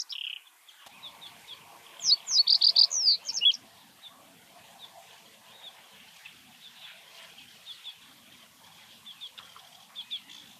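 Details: Reed bunting song recorded in Uitgeest, the Netherlands, 2023: a single brief burst of sharp, high chirping notes, loud against a quiet background. Faint chattering of a sedge warbler, stated to be singing in the background, carries on afterwards.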